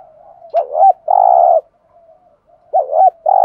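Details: Spotted dove decoy bird giving a 'thúc gù' lure call meant to stir up other doves: a short wavering double coo, then a long steady buzzy coo, then the phrase begins again. The background is quiet.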